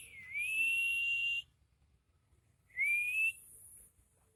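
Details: Crested jay in full, lively song in the nyiul whistling style: two clear, slightly rising whistles, the first held over a second and the second shorter, separated by a quiet pause with faint room hum.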